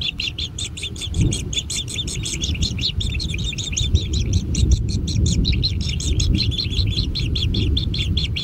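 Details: At a natural nest, kingfisher chicks beg for food with a fast, steady chatter of scratchy high chirps, heard over fairly strong low-pitched background rumble.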